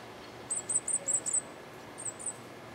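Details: Cuban grassquit singing the hammer and bell song type: five very high, thin, tinkling notes in quick succession, then a pause and two more, faint over a steady background hiss.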